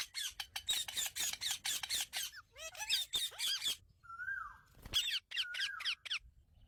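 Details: Indian ringneck parrot talking with its owner, pet bird: a quick string of scratchy squawks, then a few bent whistles and a long gliding whistle, ending in more clipped squeaks.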